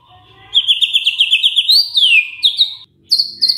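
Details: Lure song of a white-rumped shama to make other shamas respond: a fast, high rattling trill that rises then slides down, followed by another short high trill.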